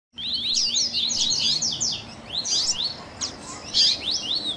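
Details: Captive double-collared seedeater chatter, a recording made to warm up and encourage a captive bird to sing: fast, high twittering phrases of rapid rising and falling chirps, bursts separated by short pauses over faint background hiss.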